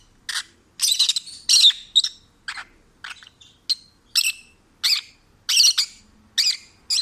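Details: Relaxed, happy singing from a peach-faced lovebird taken in as a stray: steady bursts of shrill, rasping chirps, about eleven in seven seconds, occasionally clustered in quick triplets.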